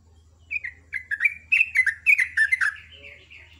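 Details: Trucuk, the sooty-headed bulbul, giving its rapid ropel ngecruk morning song: an accelerating string of liquid, down-slurred notes that run together into a continuous bubbling phrase, ending in a thin trailing note. Steady low hum underneath.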